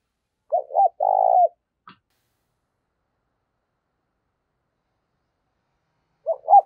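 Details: Spotted dove challenge cooing, played to stir wild-caught and decoy birds into cooing back: a full phrase of two short hoots and a long, even coo, a faint click, then the opening notes of another phrase after a long pause.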